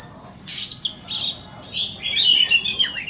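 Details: A white-rumped shama offered for sale opens with a long thin whistle, then pours out scratchy bursts and fluty slurred notes in quick succession.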